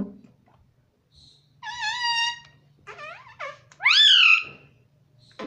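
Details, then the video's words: Talking pet parrot mimicking "mummy" in a quiet room: a wavering, harmonic, sustained note, then quick swooping syllables, and a loud upward-sweeping phrase that drops away, with faint low hum beneath. "Talking parrot"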